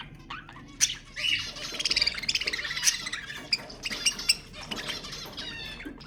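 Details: Budgerigar warbling to stimulate mating: nasal, scratchy chatter that builds into a fast pulsing trill of rapid notes, followed by sharp separate chirps.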